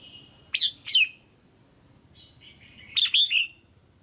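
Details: Red-whiskered bulbul female giving calls meant to stimulate a male or for pairing: two quick sharp chirps, a soft short warble, then three rapid chirps, with a low background murmur.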